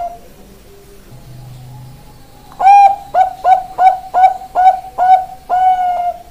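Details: Bangkok-type zebra dove song starting after faint low background hum: a sharp opening coo, then six quick clipped coos and a longer held final note.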